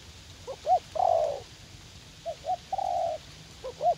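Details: Young caged decoy spotted dove, eager to fight, set out in a garden in U Minh for lure-trapping: short hooting coos and drawn-out purring coos, two phrases over a quiet, steady background hiss.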